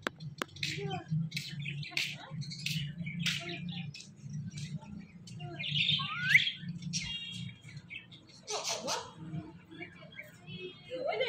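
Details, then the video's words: Pair of pet talking parrots: a busy run of short sharp chirps, squeaks and one rising whistled slide, with rough speech-like chatter in between, over a steady low hum throughout. "TALKING PARROT"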